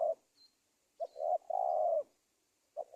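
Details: Spotted dove call used as a lure for trapping wild doves: low, hoarse cooing in short broken phrases, a clipped note, then a stressed note and a long drawn-out coo, fading near the end.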